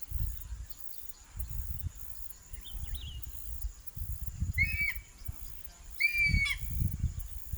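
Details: Crested hawk-eagle calling while hunting, giving three short, shrill whistled notes, rising then falling, spaced about two seconds apart, over low wind rumble and a steady insect hum.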